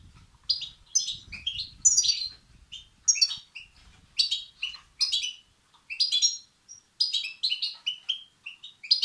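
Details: European goldfinch chicks calling for food, recording aimed at exciting males; repeated short, high, scratchy chirp bursts, fairly regular, with brief silences and light low noise early on.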